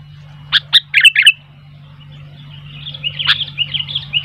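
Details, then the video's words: Energetic sooty-headed bulbul with wild bulbuls becoming noisy: a quick loud run of five bright chirps, then quieter, rambling bubbly chatter from a more distant bird. "Burung kutilang gacor ..sampai kutilang liar jadi ramai"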